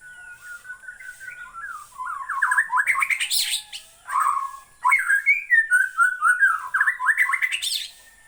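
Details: Bornean white-rumped shama song: loud, rich whistles and rapid rising slurred trills, some harsh squeaky notes mixed in, delivered in irregular bursts over a constant high-pitched hiss.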